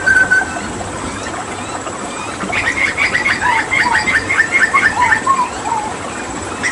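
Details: Hooded butcherbird from Papua during water therapy. It gives a rapid series of bright, chattering whistled notes, about two per second, after a lone opening whistle, then ends with lower slurred notes.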